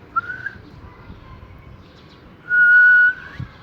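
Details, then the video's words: A pet talking Rose-ringed (ring-neck) parakeet enjoying cool weather gives a brief rising whistle, then a long, steady, pure whistled note that flicks upward at the end, over a quiet background. "Ring Neck Parrot"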